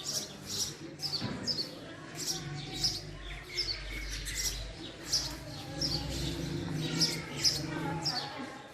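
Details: Male house sparrow calling with a steady run of short, bright chirps about every half to one second, each a sharp high note, over a low background hum.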